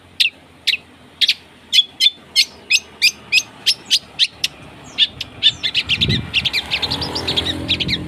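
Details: Harsh long-tailed shrike song used to prompt a silent shrike: crisp single chips about every third of a second, speeding into a dense scratchy chatter, with low background rumble toward the end.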